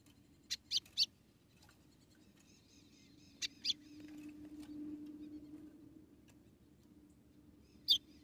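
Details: Female white-throated seedeater in Rio Grande do Norte calling to rouse the male: clusters of short, piercing high chips, three at the start, two mid-way, one near the end, with a low background hum.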